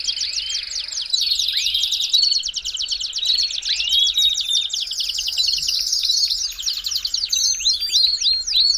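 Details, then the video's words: A Belgian canary sings a fast warm-up song, a long, almost unbroken run of high, bright trills, rising whistles and rapid rolling phrases; finding: Belgian canary. "CANTO PARA ESQUENTAR CANÁRIO BELGA"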